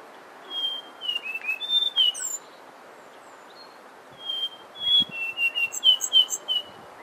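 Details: Brown scrub robin delivering two phrases of pure, slurred whistles, the second a faster run of repeated notes with high, thin twitters layered above, over a quiet background.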